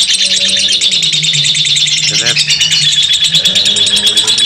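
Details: Lovebird ngekek, a long rapid chatter: piercing high twitters pour out continuously, with a short descending squeal near the middle and a low hum behind.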